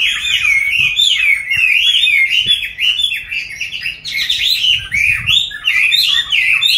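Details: Caged Chinese hwamei in its fifth year since capture as a wild adult sings vigorous, varied whistled phrases. Looping slurs repeat quickly and brighten into a louder, higher passage after four seconds. Faint low knocks sound in the room.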